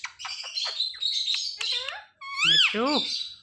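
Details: Talking ring-necked parakeet making sounds: a rapid run of short chirps and squeaky, speech-like syllables, then a loud rising-and-falling harmonic screech near the end, with brief pauses between phrases.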